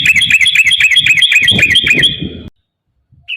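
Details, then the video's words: Yellow-vented bulbul in a long rapid-fire "ropel" song used to lure caged birds into singing: fast run of bright chattering notes, about four per second, stopping abruptly; low rumbling noise under the first half. "trucukan gacor TARUNG ROPEL PANJANG pancingan trucukan agar bunyi jadikan burung trucuk gacor EMOSI"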